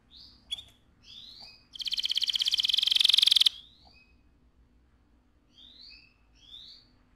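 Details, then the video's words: AF canary singing keenly at high volume: soft, scattered upslurred chirps, then a sudden loud, dense, buzzy roll lasting nearly two seconds, followed again by quiet, sparse sweeping chirps. "KENARI AF GACOR, NGEROL VOLUME KERAS"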